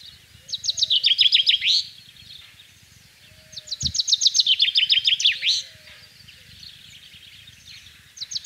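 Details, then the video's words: Spring song of a common chaffinch in rural central France on 24 March 2012: accelerating series of sharp repeated notes that slide down into a terminal flourish, repeated twice with a third phrase starting, over quiet low background rumble. "PINSON des Arbres/Chants au Printemps/Fringilla coelebs"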